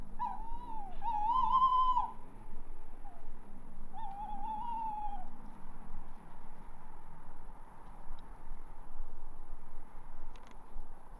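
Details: Tawny owl sitting on a roof and calling: a wavering tonal call near the start, a longer bright call right after, then a softer drawn-out call a few seconds later, followed by quiet with low hum.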